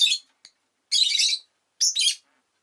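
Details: Rosy-faced lovebird giving loud, grating, high-pitched chirps in bursts of about half a second, with a brief tick between them.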